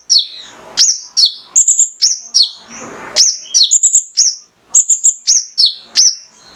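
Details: Konin, a male Mangrove whistler, in gacor burst song for stimulating other caged birds: bright high whistled notes dropping and rising in quick clusters, with short gaps and one hissy noise burst midway.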